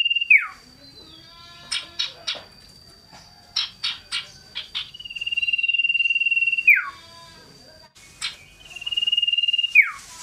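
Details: Scarlet-headed flowerpecker singing shrill and loud as it hops around; a series of short sharp chips, then sustained high buzzing trills that each finish with a steep falling slur, repeated three times.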